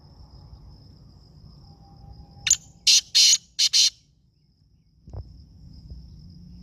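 Black francolin giving one loud, harsh phrase of four grating, rasping notes in quick succession, over a steady high insect-like whine and low background rumble.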